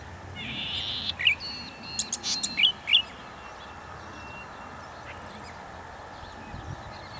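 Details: Golden-headed cisticola producing a harsh buzz, then several sharp high clicking and slurred notes, followed by near silence with faint distant high-pitched chirps.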